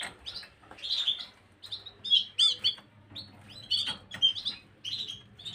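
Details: Gloster canary song recorded 9 January 2023: bright, bursty chirped and twittering phrases in short clusters with brief pauses, overlapping chirps suggesting more than one bird, a faint low hum underneath.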